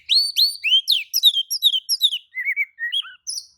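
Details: Oriental magpie-robin singing back, stirred by another magpie-robin: a fast series of bright upslurred whistles, about two per second, falling into lower warbled notes.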